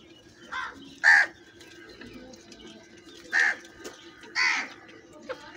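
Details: Many crows gathered together, calling loudly: four harsh, rasping caws at uneven intervals, two of them strong and close, with fainter caws and a low steady hum behind.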